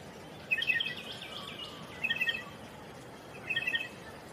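A striated pardalote gives three short bursts of bright, high chipping notes about every one and a half seconds, over a soft steady background hiss.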